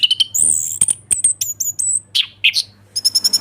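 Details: Orange-headed thrush in ngeplong song, meant to prompt stuck thrushes to sing: very high thin whistles and sharp chips in quick succession, a few lower burry notes, and a closing rapid ticking run over a low hum.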